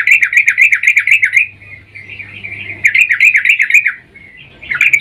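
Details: Sooty-headed bulbul female in breeding mood calling to a male, a lure recording: bursts of fast, slightly wavering chattering notes, about four per second, separated by softer trailing notes and short gaps.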